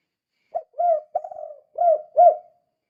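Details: Spotted dove in the vigorous 'kuk 2' calling style, used as a lure to stir other doves: one short low note, then four mellow, hollow coos, the third a rolling, trembling coo, all within two seconds, with a quiet background.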